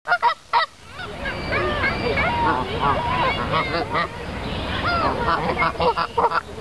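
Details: A crowd of wild geese at Dufferin Islands in Niagara Falls honks continuously, overlapping nasal calls rising and falling, framed by sharp knocks at the start and a run of thumps near the end.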